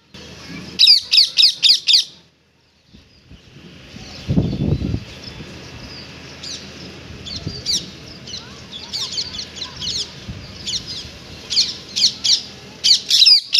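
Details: Wild parrot chirping, heard as rapid bursts of sharp, high, squawky notes, about five in quick succession, then a pause, a low thump, and further scattered chirp bursts with faint background chatter.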